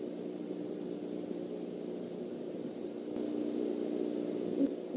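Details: Deep, soft hoots of a male and female great horned owl visiting an eagle nest overnight in December, muffled and low-pitched, over a steady background hiss.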